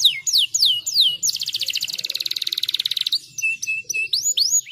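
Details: Canary kept in a cage, singing to stimulate song: several descending whistles lead into a long, rapid, even trill, then short chirps and rising-falling swoops resume.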